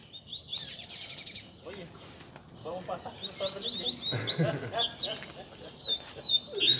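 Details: Several caged Rusty-collared seedeaters singing together on a Sunday among bird keepers, a chorus used to warm up a competition bird: bright, rapid whistled phrases and trills overlapping high up, with quick repeated notes and some low background noise.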